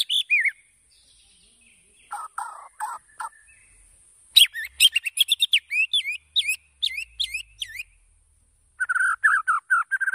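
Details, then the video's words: White-rumped shama singing as a lure to draw a quick singing response: bursts of varied sharp chirps and whistled notes, a short harsh scratchy patch, then a fast series of high whistles and a closing run of warbled notes. "PANCINGAN MURAI BATU AGAR BUNYI CEPAT RESPON"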